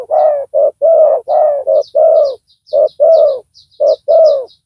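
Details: Deep, resonant coos from a spotted dove decoy with a big voice, set out to lure a rival; short-long note pairs repeat rapidly, over scattered thin high chirps of other small birds.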